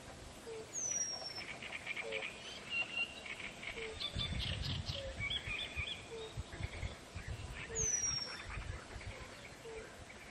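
Two thin, very high, drawn-out descending whistles from a Eurasian penduline tit, several seconds apart, over chattering birds, soft low repeated notes and a rumble of wind.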